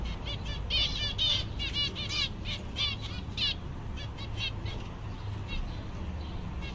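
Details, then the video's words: Seven zebra finches, caged, content on a summer day: bursts of short nasal, buzzy stacked calls repeated in quick runs over the first four seconds, then sparser single calls, over a steady low hum. "Zebras finch/mandarins diamante, todos contentes!"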